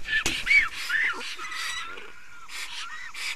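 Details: Black storks at a nest in Estonia during a change-over and feeding, 24 May 2019 at 15:15: hoarse, wheezy bursts with short rising tonal notes, loud at first, then softer breathy calls repeating.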